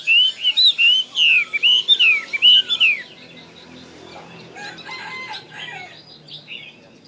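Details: Loud Chinese hwamei song of repeated looping whistles, fast and rich, for the first three seconds before dropping to faint, distant twitters.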